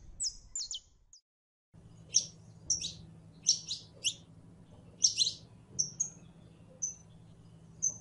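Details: Calling a male to mate, a female canary in heat gives sharp high chirps, some doubled, plus brief whistled notes, after a short silent pause, over a low steady hum.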